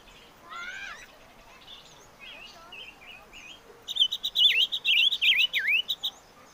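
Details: Chim ngũ sắc giving soft chirps and a faint rising call at first, followed by a loud, rapid burst of looping, wavering whistles in the second half.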